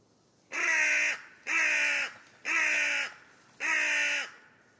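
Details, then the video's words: A carrion crow (Corvus corone) gives four harsh, rasping caws, each about two-thirds of a second long, spaced roughly a second apart; little else is heard. "Die Rabenkrähe - Carrion Crow - Corvus corone"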